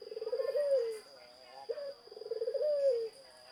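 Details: Two phrases of zebra dove song, each opening with a fast pulsed trill that smooths into a drawn-out descending coo, separated by a short clipped note, over a constant high hum.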